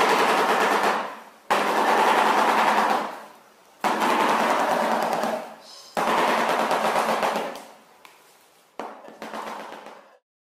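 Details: A shoebill bill-clatters, rapidly opening and closing its beak in four long bursts of hollow wooden clacks, each fading away, with a brief fifth burst at the end. The display expresses excitement or aggression.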